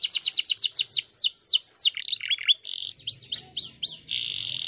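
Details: Canary singing to stimulate other canaries to sing: rapid series of bright, high downward-sweeping whistled notes, then lower warbled notes, briefly broken, resuming with quick chirping sweeps and ending on a sustained buzzy trill.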